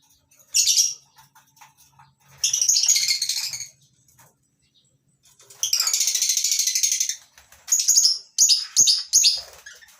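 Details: Lovebirds in a mini colony aviary on a breeding farm in the morning, a mix of masked and Fischer's lovebirds. Shrill, rasping high chatter comes in separate bursts, with a long buzzy burst midway and sharp chips near the end.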